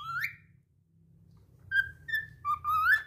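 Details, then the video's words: Cockatiel keeps singing after a slip: one rising whistle, then a low rumbling background hum, followed by several level and upslurred whistled notes ending in a longer rising phrase. "Calopsita cantando mesmo depois de escorregar"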